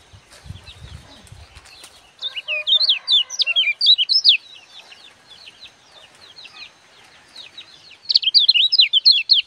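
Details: Sunbird known locally as kecial kuning, singing a gebokan-style song used as tutor material for training birds. Quiet chirps give way to bursts of rapid, high twittering notes sliding up and down, with a faint lower chatter near the start.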